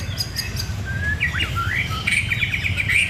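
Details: White-rumped shama singing actively: a flowing phrase of clear whistled notes sweeping up and down, turning quicker and more warbled toward the end, over steady low rumbling background noise.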